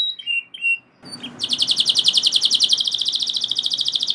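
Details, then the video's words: Canary delivering a long roll, singing that provokes other canaries to sing along; a few short whistled notes and a brief silence, then a sustained fast, even trill. "Kenari Gacor Ngeroll Joss! Bikin Emosi Kenari Lain Langsung Terpancing Ikut Gacor Nembak Panjang"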